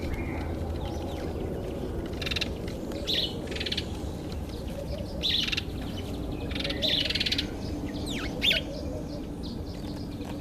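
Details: Red-billed wood hoopoe, Zulu name iNhlekabafazi meaning "laughing women", giving scattered harsh, rasping bursts of cackling notes at irregular intervals over a low steady background rumble.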